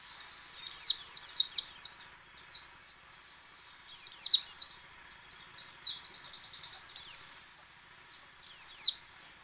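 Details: White-eye song in the ngecal, ngalas and nembak styles, used to prompt other white-eyes to sing: rapid bursts of high, sharply sweeping chirps, trilled runs and a buzzy rattling stretch, separated by short pauses.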